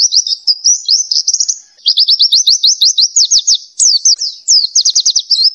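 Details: Oriental white-eye delivering continuous 'ngelas' tutoring song: a warbling high twitter that breaks into fast series of steep down-slurred whistles, with only a brief dip near two seconds.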